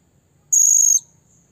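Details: Single strong, shrill, sustained high whistle lasting about half a second, given by a blue-crowned hanging parrot calling to a rival. The surroundings are nearly silent.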